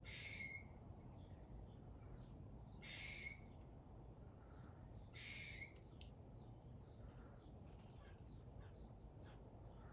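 A chickadee gives three harsh, buzzy notes spaced about two and a half seconds apart, over a steady low rumble and a thin, constant high whine.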